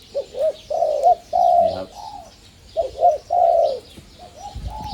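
A dove gives two phrases of soft, mellow cooing, each a quick run of rounded notes ending in a longer purr, with faint chirps from other birds behind.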